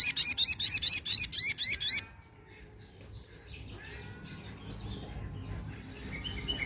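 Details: Sunda pin-striped tit-babbler call played as a lure. A fast run of about eight sharp, ringing notes in two seconds, then the bird falls silent, leaving faint distant chirps and soft background noise.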